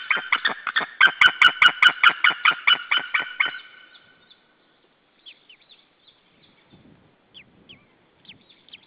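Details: Male white-tailed eagle at a nest in Saunja, Estonia, calling loudly on an April 2013 evening while another eagle is present: a rapid, even series of yelping barks for over three seconds, then quiet with faint small-bird chirps.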